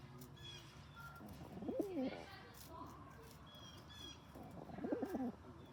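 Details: Bullying male rock pigeon, vocal toward other pigeons: two deep, wavering coos a few seconds apart, rising then falling, over light chirping of small birds.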